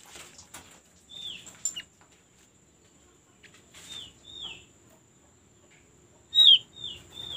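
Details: White-eye; song; lure to prompt birds to sing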